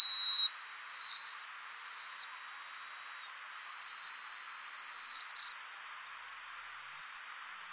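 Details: Yellow-bellied Bush Warbler, the Taiwan endemic subspecies, recorded at Tataka, Taiwan, on 9 April 2015: a run of long, thin, very high sustained whistles, each held about a second or more and stepping slightly upward, with brief gaps between them.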